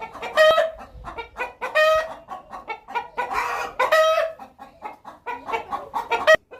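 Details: Hen vocalizing before going to lay an egg: a busy series of short clucks punctuated by about four loud, drawn-out squawks at irregular intervals.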